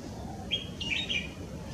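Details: Yellow-throated leaflove at Brufut, Gambia, 18 April 2018, gives a brief run of clear, high chirps: a level note, then three or four quick slurred notes, over a soft low background rumble.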